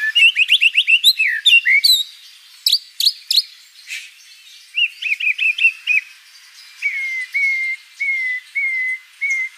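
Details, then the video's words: White-rumped shama song beginning with a rapid string of varied chirps, then sharp high notes, a run of quick warbled notes, and a closing series of evenly spaced level whistles. "MURAI BATU GACOR ISIAN BANYAK"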